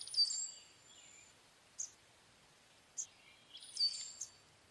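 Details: Brown-headed cowbird giving thin, very high whistled notes with short sharp squeaky bursts at about one-second gaps, and a faint lower slurred note between them, over a quiet hiss.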